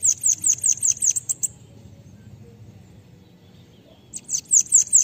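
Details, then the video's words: Bananaquit giving its pega pega type song, the sibite cambacica, used as a tutor recording for other birds: a rapid string of high, thin, descending notes, a silent pause, then another fast string. "CANTO LINDO DEMAIS PARA ENCARTE DE SIBITE CAMBACICA ( sibite PEGA PEGA )"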